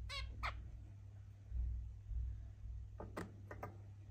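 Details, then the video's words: Zebra finch mating sounds: two brief nasal harmonic calls at the start, a pause with low rumbling, then three short sharp bursts near the end, against a constant low hum. "Zebra finch mating sounds"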